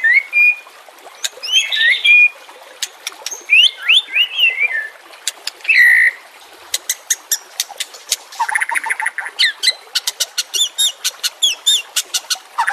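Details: Training song of a White-rumped shama for captive birds: varied rich whistles and warbled trills, then a long stretch of rapid sharp ticking notes mixed with short whistles.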